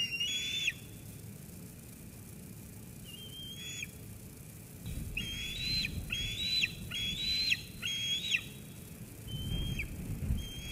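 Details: Sauces Canyon eaglet, 13 June 2021, squeeing after its mother brings food, until she goes. Scattered whistles become a quick run of four squees with falling ends, mixed with low rustling or wind noise.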